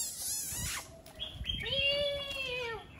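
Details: Laughingthrush singing: a harsh rasping burst, then clear whistled notes with rich overtones, ending in a long, slightly arched, slurred whistle of medium pitch.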